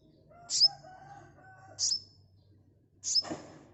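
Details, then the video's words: ['Sunbird lure sound: three sharp, very high calls about one and a quarter seconds apart, with a faint steady tone running between the first two.'] "Terapi Suara asli kolibri pancing bahan cepat respon ngeplong"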